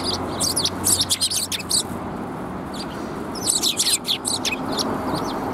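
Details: Sparrows flock to red plum blossoms at a Tenmangu shrine, 4 March 2021. Quick, high chirps come in two dense bursts, one early and one past the middle, separated by a quieter gap over a steady low background hum.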